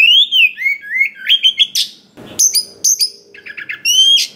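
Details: Oriental magpie-robin from the wild giving a varied song used to spur other magpie-robins into song; slurred whistles and chirp series, a brief rustle, then a quick trilled group and a closing whistle.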